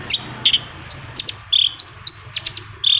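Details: Long-tailed shrike singing, used to prompt other shrikes to sing: bright, high, slurred whistles and short chirps, several arched notes, spaced irregularly over a quiet background.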